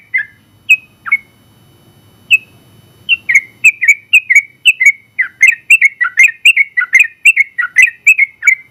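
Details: Sooty-headed bulbul, a contest winner, opens with a few separated whistled notes. It then breaks into a dense, rapid run of warbling whistles, the long 'ropel' style of song. A low rumble is audible early on.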